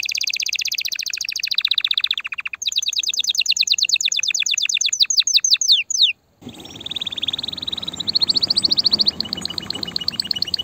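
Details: Excited canary song played to prepare female canaries for mating: rolling trills, a short break, a long rising series of fast notes, then trilling continues over a rushing background hiss.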